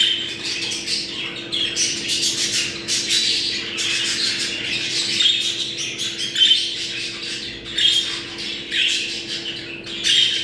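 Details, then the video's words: Breeding-stimulation sound of budgerigars: bright, scratchy warbling and chirps in rapid bursts every second or so, with a constant low hum in the background. "Muhabbet kuşu kızıştırma sesi. Muhabbet kuşu çiftleşme sesi"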